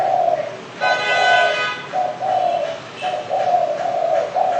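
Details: Spotted dove calling, a run of low, steady cooing notes in several bursts with brief gaps between them, plus a fainter tonal sound overhead near the start.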